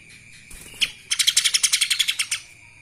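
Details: A few scattered notes, then a quick, tight series of about fourteen bright, high chattering notes from a lesser green leafbird singing kapas tembak style, over a thin steady hum.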